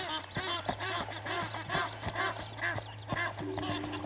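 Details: Egyptian geese from two families squabble at a Djuma Game Reserve waterhole, South Africa, at dawn; steady run of nasal honks about two a second over a low hum.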